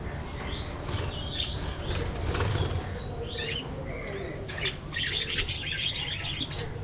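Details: Budgerigars in a spacious aviary, flying and interacting: busy overlapping high chirps and twitters, denser and warbling toward the end, over steady wing flapping and a low background rumble.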